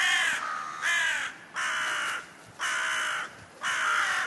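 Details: Thirsty crows: a crow gives harsh, hoarse caws, four or five in a row about one per second, each rough and slightly falling; little else is heard.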